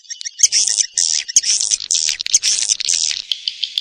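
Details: Swiftlet calls: harsh, buzzy high-pitched bursts about half a second long, repeated in quick succession and separated by short gaps, with a faint ticking between bursts.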